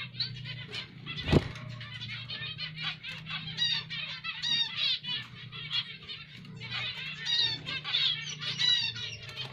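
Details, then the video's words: Zebra finch chatter, with buzzy, nasal notes and quick sweeps over a steady low hum and one sharp knock near the start. "Zebra Finch Karo Emprit Jepang"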